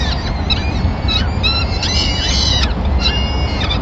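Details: Peregrine falcons in Madrid on 26 April 2016 as the male arrives with a small bird to feed the chicks at first light of feeding; shrill, rising-falling calls pile up densely over deep background noise.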